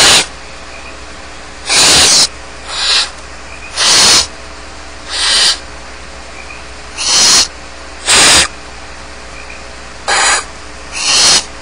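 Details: Barn owl chicks alone in the nest at Starr Ranch, giving harsh broadband hissing snores of about half a second each, roughly every one to two seconds at irregular intervals, over a steady low hum.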